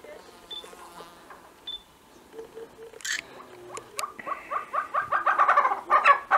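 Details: Tibetan snowcock, a feisty male strutting around in the open; after camera shutter clicks and a few faint short whistles, a run of quick chevron-shaped notes builds and speeds up through the final two seconds.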